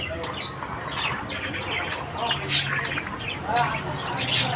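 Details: A morning chorus of Australian budgies: continuous mixed warbling, clicks and scratchy chirps from several birds, rising in intensity toward the end.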